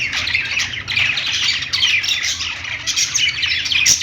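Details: A flock of budgerigars sings on a perch inside a pet store: continuous high chirping and twittering with occasional sharp, piercing squeaks.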